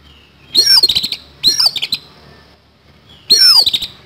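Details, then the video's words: Oriental magpie-robin fighting, delivering harsh fill-in notes: three raspy bursts in about four seconds, each a high whistle sweeping downward into choppy, grating pulses, over a faint low hum. "KACER TARUNG ISIAN KASAR"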